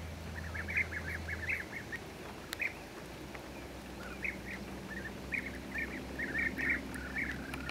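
European bee-eaters give short, liquid, rolling 'prruip' calls, repeated in loose overlapping bursts as if from several birds, over a low rumble at the start.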